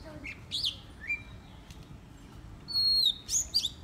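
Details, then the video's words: Decoy black drongo singing improvised phrases: a few scattered chirps and a brief low whistle, a long pause, then a loud clear drawn-out whistle followed by squeaky twittering notes. "Ngẫu hững choè than mồi"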